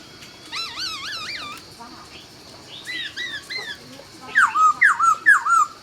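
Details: Laughingthrush dawn song from Vietnam: wavering, vibrato-like whistled notes rich in overtones, then a run of loud, clear downslurred whistles repeated about every half second near the end.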